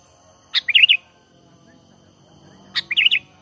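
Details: Sooty-headed bulbul natural lure call for bird trapping, with no other birds mixed in. Two quick phrases about two seconds apart, each a sharp note followed by a bubbly, chattering run of liquid notes, over a quiet background.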